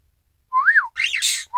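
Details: Pet Isabelle pearl cockatiel, recorded 1 December 2018, copying its owner's whistled 'ppoiyo' phrase: a clear rising-then-falling whistled note followed by a harsher, breathier arched note and a noisy hiss, then the start of another whistle.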